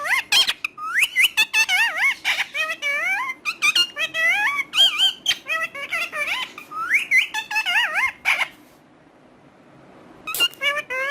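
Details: Parrot talking in a long burst of fast, warbling mimicked phrases, wavy pitch-sliding syllables mixed with sharp clicks and squeaks, pausing briefly near the end before resuming, in a small indoor room.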